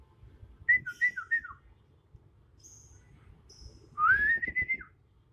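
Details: Kalimantan leafbird, a young bird turning adult, gives a quick run of four dropping whistles, then a long rising, slightly wavering whistle in its natural, unlearned song.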